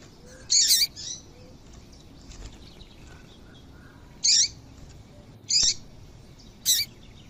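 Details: Female double-collared seedeater call meant to set males singing: brief, bright, high chirps, a doubled note followed by a softer one, then three single notes at irregular gaps of about one to one and a half seconds.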